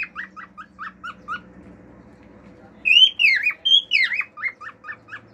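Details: Male cockatiel, a household pet, singing: quick repeated short chirps, a quiet gap, then loud wavering fiu-fiu style whistles and more chirps.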